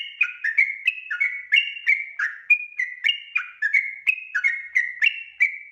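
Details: Lively Sooty-headed bulbul song for luring untrained birds into singing: dense, quick bubbling whistles with sharp starts, alternating rising and falling notes almost without pause, clean background.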